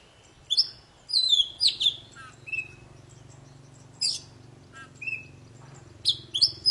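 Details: Poci singing, offered as a lure to get silent birds singing, in short bursts of sharp high whistles and chips separated by pauses over a low steady hum.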